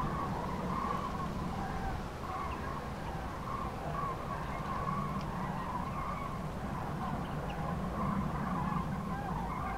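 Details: Common cranes migrating north in spring over central France, 5 March 2016, between 14:30 and 15:40, many groups disrupted by bad weather; a continuous chorus of trumpeting calls pulses steadily against heavy low wind rumble.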